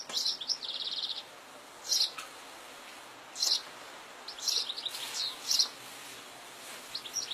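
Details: European goldfinch singing in the wild in fields: a buzzy trill at the start, then scattered bright twittering notes in brief bursts over constant outdoor hiss.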